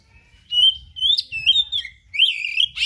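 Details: Oriental magpie-robin (kacer) singing 'gacor' style, full of rare learned material: long, loud, slurred whistles that rise and fall, with a low hum underneath.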